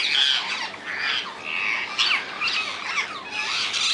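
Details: Rose-ringed parakeets in the wild in the Netherlands giving loud, grating squawks and screeches, harsh notes repeated irregularly about every half second, with some shorter sharp calls overlapping.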